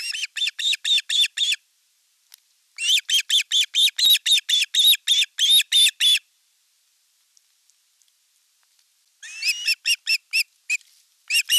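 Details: Ospreys at a nest in Satakunta, Finland, in August 2024, the elder chick attacking the younger as fish arrives: rapid runs of high, piercing chirped notes, about four per second, broken by a long silence before another burst.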